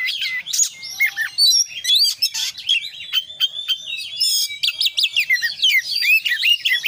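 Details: Oriental magpie-robin, kacer, in lively 'gacor' song of the 'konslet' type, full of fills. Rapid twittering phrases, clicks and rising and falling whistles tumble along without a steady rhythm.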